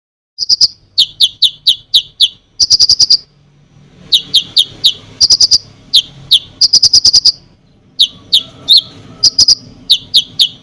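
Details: Konin singing energetically in a full, varied song meant to provoke other birds: sharp high downslurred chirps alternate with rapid rattling bursts of five to eight clicks, with brief pauses and a faint low hum behind.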